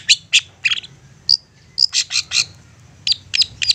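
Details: Long-tailed shrike lure song for provoking other shrikes: scattered high chips and short whistles, a pause, then a cluster of rough notes and a few sharp chirps, over faint low hum.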